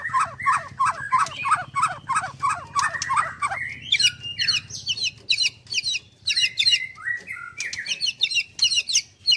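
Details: Caged white-rumped shama at a bird farm in Kendal singing in the rapid 'nembak' style: fast repeated slurred notes at first, then loud sharp high whistles and trills in quick bursts, with a low steady hum underneath.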